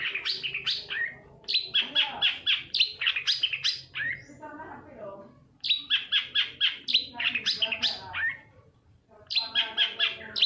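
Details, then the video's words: Long-tailed shrike song used as a lure to prompt silent or lazy shrikes to sing: bursts of rapid, scratchy high chattering notes in phrases of about two seconds, separated by short pauses. "suara panncingan cendet agar bunyi dan gacor"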